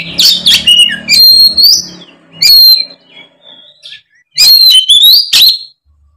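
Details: An Oriental magpie-robin in fighting mode delivering its full repertoire, meant to lure lazy magpie-robins into song: strong whistled phrases mixed with rasping notes in three bursts, over a low background hum at the start.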